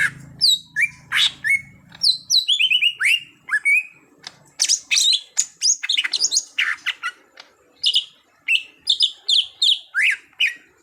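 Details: Greater green leafbird (cucak hijau), a raw bird being trained to sing boldly: continuous rich chatter of sweeping whistles, sharp chips and descending slurs, delivered fast and varied with barely a break.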